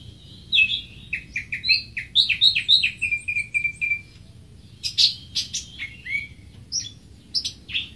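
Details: High, rapid chirping from a greater green leafbird, a string of short notes that steps down in pitch, then a pause and a final burst of bright, squeaky whistles.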